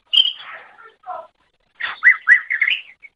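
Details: Greater green leafbird song used as a training master for other songbirds: a slurred whistle trailing into lower buzzy notes, a pause, then a quick run of bright chirped phrases.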